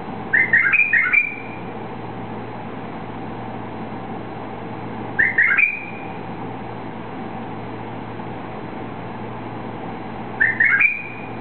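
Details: White-eared bulbul, a bird that was released, singing short warbled whistled phrases about one second long, repeated three times roughly every five seconds, over a steady low hum.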